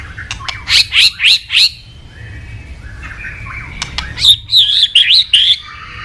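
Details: White-rumped shama, prized by songbird hobbyists, singing four loud, high, looping whistles in quick succession, then a short soft pause, then another run of bright, warbling whistled notes.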